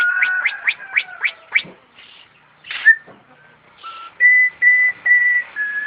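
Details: Starling mimicking an ambulance siren: a fast run of six upswept notes, a harsh burst, then four even level whistles in a row like a siren tone.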